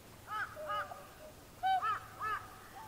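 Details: Group of tundra swans, adults with a juvenile, recorded January 31, 2016 on a Panasonic DMC-FZ300 with external mic; loud overlapping bugling and honking calls, rich and nasal, in quick bursts from several birds.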